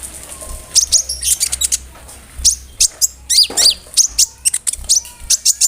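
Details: Konin leafbird in full chattering song filled with imitations of crickets and birds like kamade and rambatan, meant to teach other songbirds: bursts of thin high chips and quick down-slurred whistles after a quiet start.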